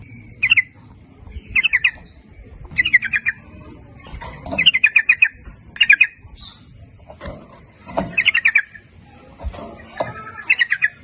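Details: Sooty-headed bulbul song played as a lure for males and females: lively bubbling phrases of rapid chattering notes, repeated roughly every second, with a faint higher whistle partway through.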